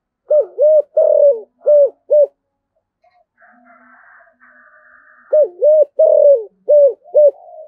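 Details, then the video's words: Spotted dove singing in the Vietnamese 'giọng thổ' style, a deep 'thổ sấm' voice: two five-note cooing phrases, a doubled coo, a long drawn note, then two short coos, separated by a pause holding a faint higher-pitched sound. "tiếng cu gáy giọng thổ cực đỉnh/ cu gáy giọng thổ sấm"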